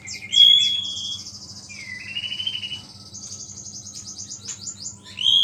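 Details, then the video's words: White-rumped shama in lively song with a small-bird fill, meant to provoke other shamas; a few bright whistled slurs against a long, steady, buzzy high trill that runs through most of the stretch. "MURAI BATU GACOR ISIAN BURUNG KECIL"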